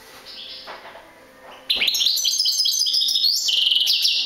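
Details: European goldfinch song: faint soft notes, then an abrupt, sustained run of high, jangling twitters and rapid liquid trills.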